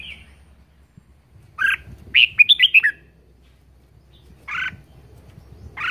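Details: Captive red-whiskered bulbul singing in 'ché' style: a short warbled phrase of quick rising and falling whistled notes, then two separate rich two-tone chirps after a pause, in a quiet setting.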